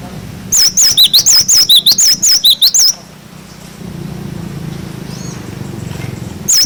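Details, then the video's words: Glatik batu (cinereous tit) 'wucit wucit' song for tutoring young birds: about twelve sharp, high wavering whistles in quick succession, followed by a stretch of low background hum and a single note at the end. "Masteran glatik batu wucit wucit cocok untuk masteran burung bahan"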